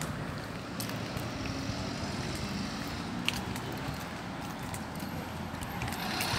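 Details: Quieter wash of passing vehicles and broadband outdoor noise, with a few faint ticks and no animal calls.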